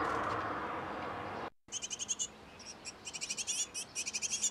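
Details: Great tit pair tending nestlings in a nest box: after a stretch of rushing noise, short bursts of quick, high, piping chirps in clusters of four to eight notes.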